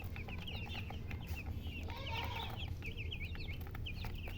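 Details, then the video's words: Chicken chirping: rapid high, slurred peeping notes repeated in quick bursts over a steady low rumble of background noise. "silly chicken chirping sounds with murgi hen color chicken"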